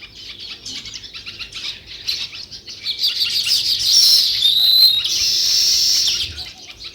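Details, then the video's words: Sparrows in a busy overlapping chatter of short, bright chirps, about three a second, growing louder and denser toward the end with a brief rush like fluttering wings. "Sparrow View and Sounds | Chirping Sounds"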